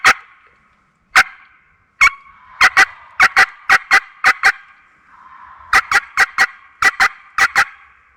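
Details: Wild Turkey gobbler calling back during a spring bowhunt in a Mississippi national forest, a hen calling nearby and a hunter calling softly; sharp repeated notes come in quick clusters of two to four, separated by short pauses.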